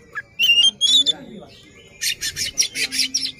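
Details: Oriental magpie-robin displaying its open tail while singing against a rival: a few bright rising whistles, then a rapid series of harsh scratchy rasps repeated about five times.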